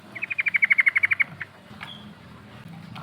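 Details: Sooty-headed bulbul in rolling ngerol style, used as a lure to call rivals: a rapid run of about fifteen even, clipped notes, swelling then fading, followed by quieter faint chirps and low background hum.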